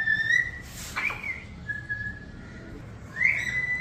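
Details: A pet female Moluccan cockatoo, a talking bird, gives clear, mid-pitched whistled notes, some drawn out and some sliding up, with a brief breathy rasp between them.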